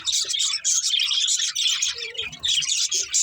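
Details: Budgies chirping as they play and eat: bursts of shrill, scratchy twittering chatter broken by short pauses, with a few lower soft notes in between.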